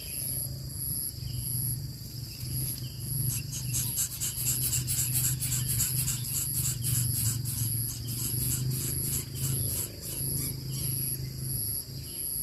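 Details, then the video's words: Two coucal chicks getting their first feeding beg with a rapid series of harsh, raspy pulses, about four per second, building from the third second and fading near the twelfth, over steady insect chirping and a low rumble. "dua anak burung bubut dapat suapan pertama"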